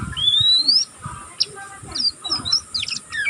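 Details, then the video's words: Young cage-kept oriental magpie-robin learning its song: a long rising whistle opens, followed by short sharp chips and scratchy notes, over faint low background noise. "burung kacer pastol ngeriwik pastol paud masih belajar pokal ngeriwik tanpa putus"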